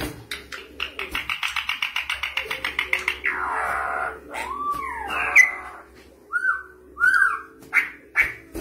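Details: Campo troupial from Brazil singing: a fast run of rattling clicks, then a swooping arched whistle and a few loud, clear, downslurred whistled notes, with faint indoor hum behind.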